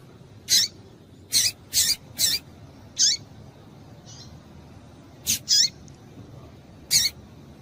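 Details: Female Double-collared seedeater calling to excite males into song: bursts of high, sharp chips, several in quick runs of two or three, each with a short falling tail, irregularly spaced over quiet background hiss.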